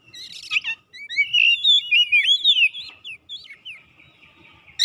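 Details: Oriental magpie-robin in lively full song while seeking an opponent: a fast run of clear, slurred whistles and twisting notes, some rising and some falling, with a short harsh burst at the start and another at the end.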